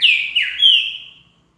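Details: Green-winged saltator song, played to stimulate another bird to sing: a single loud phrase of three slurred whistled notes, the middle one dipping, ending in a long fading whistle.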